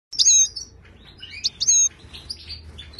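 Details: Moroccan wild goldfinch song used to tutor caged goldfinches: bright, high twittering phrases with sharp rising and falling whistles, two loud bursts separated by a softer warbled passage.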